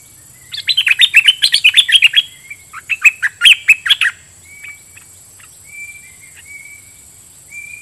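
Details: Decoy red-whiskered bulbul singing doubled phrases at wild birds: a lively run of bright, slurred chirps, then a few thin, drawn-out whistles further back.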